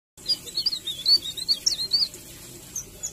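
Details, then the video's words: White-rumped shama, used as a lure sound to provoke other shamas into singing, delivers a quick burst of high, chattering, twittery notes for about two seconds, then fades to quieter background. "Kretekan Trotolan Murai Batu Pancingan Emosi Murai Batu Bunyi"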